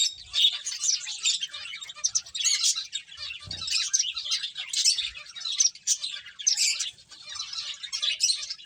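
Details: Finches at play fill the air with rapid, high-pitched chirps, many birds calling at once in a busy, unbroken twitter, with occasional faint low knocks.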